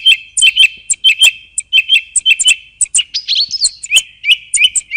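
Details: Singing song thrush: a sharp, chirpy note repeated rapidly about eight times, then a squeaky warbled phrase and a new series of repeated whistled notes. Clean, close recording.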